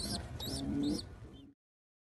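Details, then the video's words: Baby pigeon, still hungry after a big feed from its mother, squeaking loudly: three quick, thin, high squeaks in a row, then a fainter one, over a low murmur of background noise. "Baby pigeon still hungry after big feed loud & noise squeaking"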